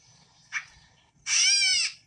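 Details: A Gray Catbird, a common bird of southern Wisconsin, gives its mew call: one drawn-out, nasal mew much like a cat's meow, after a brief soft note, over a faint low background hum.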